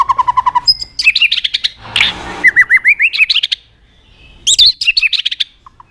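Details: Vigorous white-rumped shama song with sharp fill notes: a fast even run of low trill notes, then chattering phrases of rising slurred whistles, a pause, and a final burst of high chips.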